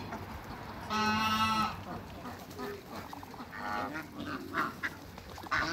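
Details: Seven African geese on a waterbird farm; one loud, harsh, nasal honk rich in overtones lasts under a second, then softer, shorter honks and low murmurs from the flock follow over steady background noise.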